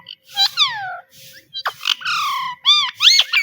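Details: Pet talking parrot repeating the word "Mitthu", a common affectionate name for parrots in South Asia; a run of bright, harmonic, squawky voice-like sweeps that mostly slide downward in quick bursts with short pauses between phrases.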